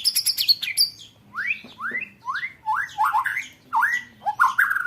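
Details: Training recording of white-rumped shama song, 'roll tembak' material for contest birds: a buzzy rattle at the start, then a string of rising whistled upslurs, about one every half second, growing more warbled.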